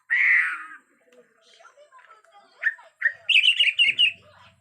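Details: Agitated white-rumped shama from Borneo with a natural forest sound: a loud, rich opening whistle, quiet scattered notes, then a burst of rapid, high, tumbling notes.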